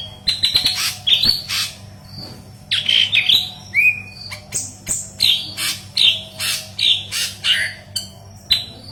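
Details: Intensely singing yellow-headed leafbird, gacor style, recorded to tutor green leafbirds: dense series of harsh chirps and sharp whistles, briefly pausing before resuming in rapid bursts.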